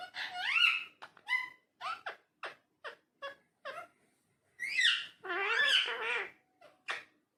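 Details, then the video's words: Talking parrot in a small indoor room, producing a rapid series of short chattering syllables, then a louder burst of rising, warbling, speech-like notes near the end. "Talking Parrot"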